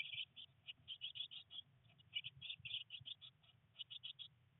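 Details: Eurasian blue tit nestlings, three, on day 19 in a nest box during wet weather and first flight attempts; steady series of high, clipped chirps, fairly evenly spaced, above a soft low hum.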